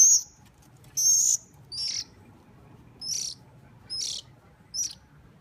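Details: Hungry bird begging while being hand-fed, six sharp high squeaky calls spaced about a second apart, the second longest and loudest, over quiet background.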